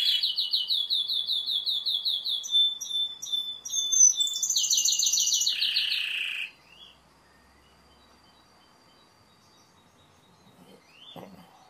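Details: Timbrado canary song of fast repeated rolling notes, short chopped phrases and a loud buzzy trill, followed by several seconds of near silence with a faint distant note.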